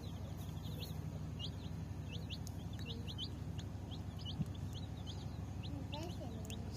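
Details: Colour baby chicks (murgi) chirping while thirsty for drinking water: a busy stream of short, high, thin peeps, about four per second, over a steady low hum.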